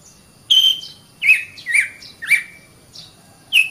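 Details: Oriental magpie-robin master song for training caged birds: separate whistled notes about every half second, each a bright tone with a downward slur, with quiet gaps between.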